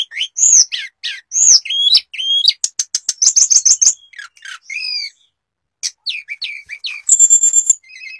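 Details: Sulingan, the hill blue flycatcher, singing with mimicked fill-in phrases: looping whistled notes, a fast ticking run, a short pause, then a long steady high whistle and chirps.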